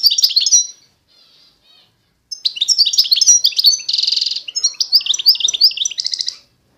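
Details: European goldfinch of the authentic Constantine strain from eastern Algeria singing: a rapid twittering burst of high tinkling notes, a short pause with faint soft notes, then a longer run of chirps, a buzzy trill and metallic twitters.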